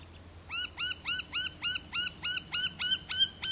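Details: Australian ringneck of the Western form feeding on regal birdflower (Crotalaria cunninghamii) at De Grey River, Pilbara, on 13 June 2012; loud rising-then-falling ringing notes repeated about three times a second over a low background hum.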